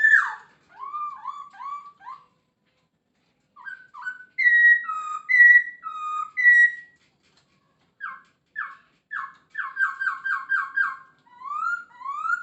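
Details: Masked laughingthrush in varied full song ('gacor full isian'): short whistled notes in groups, a few louder clear whistles, then a fast stuttering burst of repeated notes and an upward slur.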